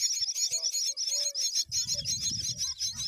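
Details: A myna feeds a green worm to her babies while loud, shrill, buzzy high notes pulse steadily about three times a second; low thumping noise joins partway through.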